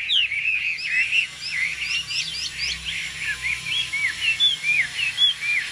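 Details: Caged Chinese hwamei giving a steady stream of short, slurred whistles, rising and falling notes repeated about once a second, over a hissy background.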